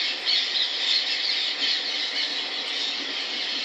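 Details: Indian ringneck parrot squealing and squawking in a dense, shrill stream, loudest in the first second, with sharp high notes fading into a continuous hissing chatter.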